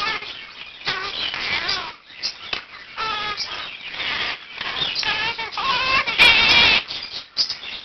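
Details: One-year-old male Quaker parakeet kept indoors giving his 7 am wake-up call, practising learned words and phrases while other birds in the room join in; rapid series of harmonic, wavering squawks and chirps with one sharp high burst near the end.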